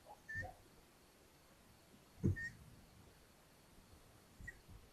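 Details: Hungarian long-eared owl nest, 13 May 2022, with the mother delivering a mouse to the chicks: three brief, high whistled notes spaced out, broken by a loud thump and light rustling.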